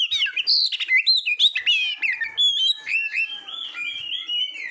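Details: Competition-training recording of an Oriental magpie-robin: quick, tumbling whistles and chirps at the start, settling into smoother slurred notes and a long series of gently falling whistles.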